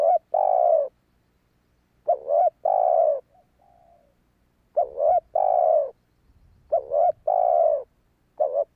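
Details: Spotted dove cooing, used to draw in wild doves. Repeated phrases mix quick stuttered coos with longer falling notes, spaced a few seconds apart. Light low-pitched background noise sits between them.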